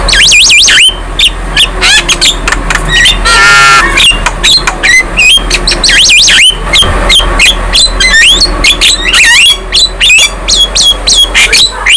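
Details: Young Javan myna in full, lively song with head-bobbing: a dense, continuous stream of looping whistles, sharp chips and rasping squawks, with a brief harsh burst in the middle and almost no pauses.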